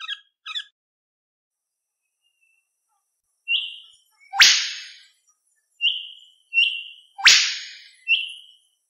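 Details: An Indian Golden Oriole gives an opening steady whistled note, then two clear, fluting phrases about two seconds apart, each ending in a falling slur.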